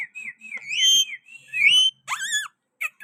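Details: Green rose-ringed parakeet calling at a window in Pakistan: drawn-out, wavering whistles that rise and fall, followed by a few quick, harsher squeaks.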